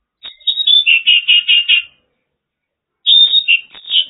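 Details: Song of a Mongolian lark from China: a fast series of clear, whistled, rolling notes repeated about five times per second, a pause, then another burst of chirping trills.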